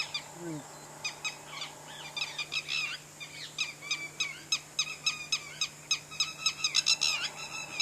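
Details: Wild laughing birds at Keoladeo National Park, Bharatpur Bird Sanctuary, India, singing to each other; rapid high chattering bursts about three per second build into a laughing cascade over a steady low hum.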